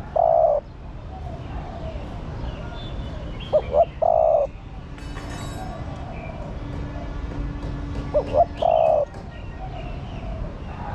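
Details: Calling female spotted dove stimulating a male. Hollow two-note hoots and a long coo come in phrases spaced about four seconds apart, with faint background noise and a soft steady tone.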